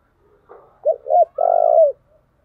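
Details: Spotted dove coo used as a lure to attract wild doves: a soft lead-in, two short hollow coos, then a longer rolling coo, in quiet surroundings.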